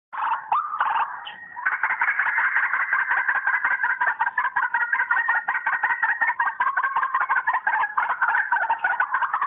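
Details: White-breasted waterhen call played from a phone to lure the birds in: loud, dense, rapid croaking notes repeated almost three times a second, with a harsh overlapping chorus-like texture and a brief broken start.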